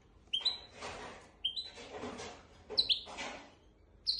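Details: Tutor song of a goldfinch x canary hybrid, used to teach goldfinches and canaries: high, slurred two-note chirps repeated irregularly, interspersed with rustling and fluttering noises.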